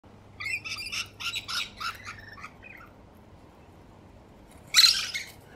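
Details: Musk lorikeets drinking water give a burst of shrill, buzzy screeches for about two seconds, then a harsh rasping squawk near the end.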